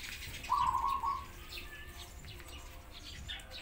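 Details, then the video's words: Pigeon crying, recorded alongside sparrows: a single steady, slightly rough mid-pitched tone lasting about three quarters of a second, with faint sparrow chirps scattered above and a low background rumble. "Pigeons Crying Sound"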